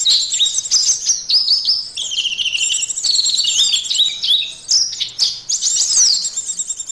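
An oriental white-eye sings a fast, continuous jumble of high, thin twittering notes and quick slurred whistles, running without pause.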